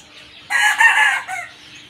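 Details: Crowing rooster: one loud, hoarse, harmonic crow of under a second that ends in a short, falling tail note, with a faint steady hum behind it.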